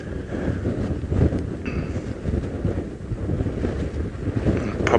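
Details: Steady low rumble of wind buffeting the microphone, with no animal voices heard. A faint brief tone and a few soft knocks come through, but nothing from an animal.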